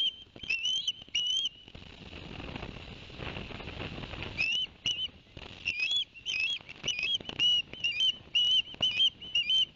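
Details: At a Barnegat Light, New Jersey nest, 11 September 2021, Ospreys give a few shrill chirps, fall quiet for several seconds, then launch into a fast series of high whistled notes about two per second.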